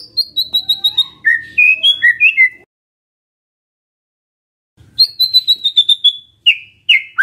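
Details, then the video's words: White-rumped shama lure song for drawing a reply from a silent bird: rapid high chattering whistles sliding down into richer warbled phrases, a two-second pause, then another bright trilled run ending in rising notes. "PANCINGAN SANTAI & EFEKTIF❗❗ murai DIAM langsung respon NYAUT❗❗"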